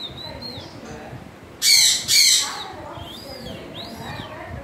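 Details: Soft thin whistles from an African grey parrot give way to two loud, piercing back-to-back screeches, then quiet whistled arcs again.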